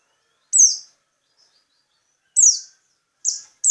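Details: Local peci bird giving very high, thin, downslurred notes, each brief and sharp, spaced irregularly with pauses of one to two seconds, in otherwise quiet surroundings.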